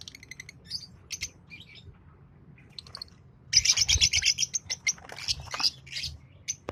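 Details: Green Fischer's lovebird pair chirping and singing: scattered high chirps, then a dense burst of rapid, rasping chatter and squeaks, with quieter chirps trailing off.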